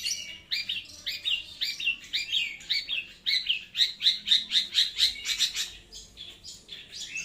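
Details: Long-tailed shrike, loud and clear: quick, scratchy notes that dip in pitch, delivered rapidly. They settle into a brief series of bright, even, whistled pips before the chatter resumes.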